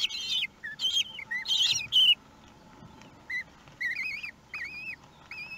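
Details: Common kestrel family at the nest in Théding, France, on 2 June 2020 during feeding time with a large prey item; high wavering, trilled whines rising and falling, given in short bursts, with scratchy harsh notes at the start.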